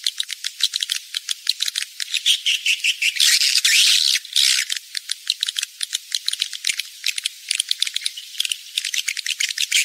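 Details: Swiftlet mating lure call for rainy-season breeding: rapid repeated high chirps and clicks with a long loud rasping buzz in the middle, then steady fast twittering.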